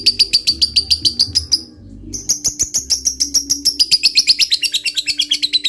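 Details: Fighter lovebird chattering to provoke a rival: quick repeated high chirps, a short pause, then a long fast rhythmic chatter rising in intensity, with faint low background sound.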